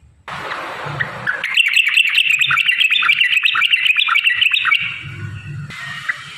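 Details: Yellow-vented bulbul in full song, played to draw other bulbuls into singing: a long stream of quick, choppy whistled notes rising after a soft start, over a low, rumbling, noisy background.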